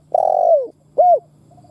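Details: Decoy spotted dove cooing: a long, low, steady coo that slides downward at its close, followed after a brief pause by a short, arched, mellow note.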